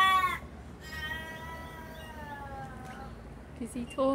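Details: Raven or crow in a garden, watching the person nearby: a short harsh note, then a long drawn-out wailing call slowly sliding lower for two seconds, followed by brief clipped sounds.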